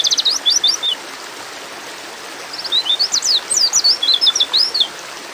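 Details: High sweeping chirps from a female white-eye in breeding mood calling a male. A short opening burst, a silent gap, then a longer twittering run of rising and falling notes over a faint hiss.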